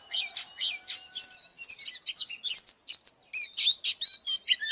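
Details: Oriental magpie-robin in full fighting song: a dense, fast jumble of high chirps, trills and slurred whistles, with barely a gap between notes, recorded cleanly with no low noise.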